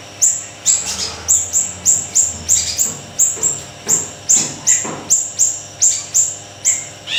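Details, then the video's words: A Siri-siri kecil in full voice, used as tutor and lure material for kept songbirds, delivers sharp, very high notes repeated steadily about twice a second, each falling slightly, over a soft low hum. "Siri-Siri Kecil Gacor,, Tembakan Dahsyat Mbeset"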